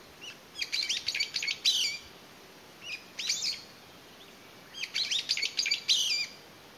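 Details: A lone Brown-eared Bulbul, apparently separated from its family, calls loudly in May 2021, pausing to listen with head tilted. It gives shrill, harsh bursts of rapid chattering notes in three bouts, with a brief single note between them.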